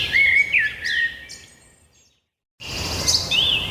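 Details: Birds singing with a drawn-out whistle and quick falling notes at first, a moment of total silence, then chirping and a rising whistle returning.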